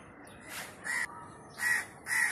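A crow gives several harsh, nasal caws in quick succession, each about a quarter second long, against a quiet background.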